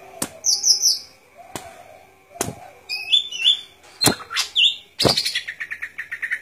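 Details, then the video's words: A Golden-fronted leafbird sings a varied run of high whistles and buzzy slurred notes, ending in quick repeated chips, broken by several sharp clicks and a faint steady tone. "Good Performance of Golden Fronted Leafbird"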